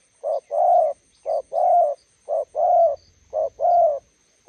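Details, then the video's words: Spotted dove, a decoy facing a wild bird by the roadside, giving steady two-note coos: a short low hoot then a longer, rough, level note, about once a second, over a faint low hum. "Kèo Bên Đường Lộ (bổi đẹp gặp mồi Đồng Gù…)"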